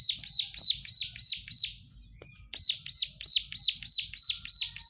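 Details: Plain prinia in energetic song: two bursts of high, buzzy, falling notes, roughly three per second, separated by a half-second pause, with a soft low hum beneath.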